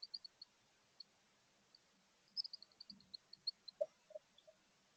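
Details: A female chickadee inspecting a birdhouse chirps with her mate outside: soft, high chip notes in loose irregular bursts, with a couple of lower single notes, over a quiet background hum.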